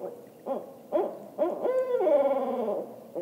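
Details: Barred owl giving an ascending call: three short, low, quavering hoots that grow louder, then a long, drawn-out hoot that slides downward at the end. The background is quiet.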